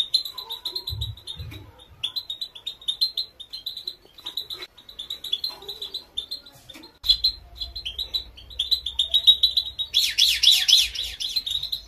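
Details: Female European goldfinch training song, used to encourage males to sing loudly. Dense high twittering chirps repeat quickly and unevenly throughout, with a few low thumps early on and a louder rasping burst near the end.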